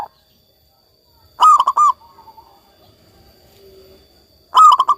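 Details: Actively singing local zebra dove, two phrases of quick, rolling cooing notes about three seconds apart, with only soft murmurs between them.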